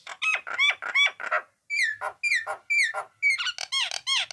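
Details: Nias hill myna in full, energetic song: loud, ringing whistled notes with rich harmonics, some sliding and bending, mixed with harsh squeaky bursts, delivered in quick separate phrases with a short pause midway.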